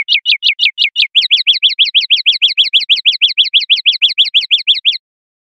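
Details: Common linnet, clean-style silvestrismo song: a long, very regular rattle of quick rising chirps, about five per second, running for five seconds without a break.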